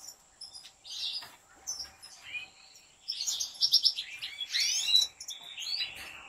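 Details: Caged European goldfinches in a breeder's big aviary sing in bursts: a short twitter, a pause, then a loud run of rapid liquid trills and sharp high notes from more than one bird.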